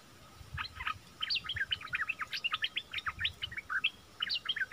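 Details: Caged decoy bulbul calling on 16 March 2021 to lure wild birds down, a rapid run of short, sharp chirps and pitch-bending notes, dense and continuous, with faint low rumble beneath.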